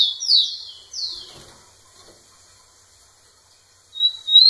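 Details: Rufous-collared sparrow directing song at a female; the end of one song with loud falling slurred notes, a quiet pause, then a high rising whistle starting the next.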